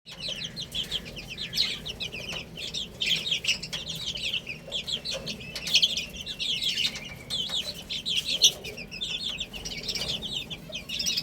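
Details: Baby chickens eating and playing, a flock of chicks giving dense, overlapping high chirps that run continuously through the clip, with soft scratching and pecking noises beneath.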